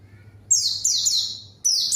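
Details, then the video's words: Short bursts of high, downward-sweeping chirps from a white-eye responding to a rival, two phrases in quick succession. "PANCINGAN PLECI GACOR MANGGIL LAWAN PLECI BAHAN LANGSUNG RESPON DAN IKUT BUNYI"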